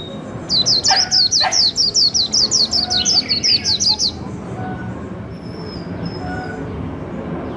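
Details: White-eye in a cage, a prized líu singer caught wild and caged for just over a month, delivering a four-second string of rapid, high, evenly repeated chirps, then falling quiet over faint background noise.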